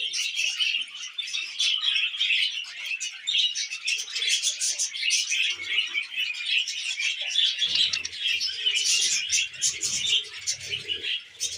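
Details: Tamed budgerigars eating wheat germ keep up a steady, twittering chorus of high, scratchy chirps and warbles, joined by faint low bumps and rustles in the second half.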